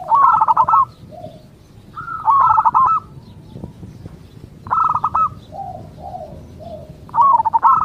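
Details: Zebra dove of a local strain singing to get others to reply. Rolling, trilled coo phrases come every few seconds, with softer, lower single coos in the pauses.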